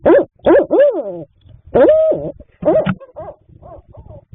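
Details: Barred owls at a nest box at night in March 2026, the male bringing late-night food to the female incubating three eggs; loud, harmonic hooting notes that rise and fall in quick succession, then trail into softer, shorter notes.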